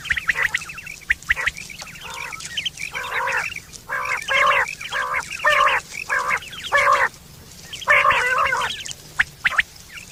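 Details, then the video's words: Quail recorded in September 2023 give harsh, nasal chattering notes in irregular bursts of about half a second to a second, with a faint low hum underneath. "batair ki awaz"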